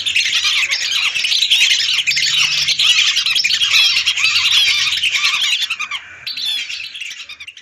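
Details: Hundreds of lesser whistling ducks, recorded for luring: a thick chorus of overlapping shrill whistles and chatter, steady and loud, fading somewhat toward the end.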